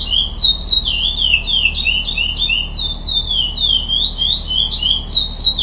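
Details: Songbird pouring out quick, high, slurred chirps in an unbroken sequence, the notes bending up and down in pitch, with a steady low background hum.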